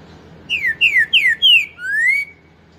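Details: Green-winged saltator performing its four-note 'pantaneiro' song, known as '4 nota boi': four strong falling whistles about a third of a second apart, ending in a long, gently rising whistle.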